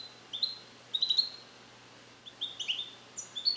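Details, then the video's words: Captive-bred European goldfinch male, hatched in 2021 in the USA, isolated in a carrier while learning Neapolitan song passages: sparse sharp chirps and brief twittered clusters, high and clear, separated by short pauses. "Cardellino Passata Napoletana 2021 - European Goldfinch - Jilguero cante limpio"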